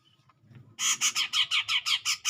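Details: A grey-cheeked bulbul, singing actively to provoke a rival, gives a loud burst of harsh, buzzy notes repeated about seven times a second after a short quiet start.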